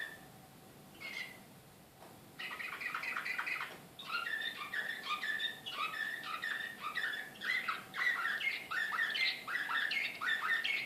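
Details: Canary of the Srpski Slavujar song type, Belgrade, 2014, delivering a long continuous song of quick downslurred notes and rattling trills after a couple of brief opening notes, over a low background hum.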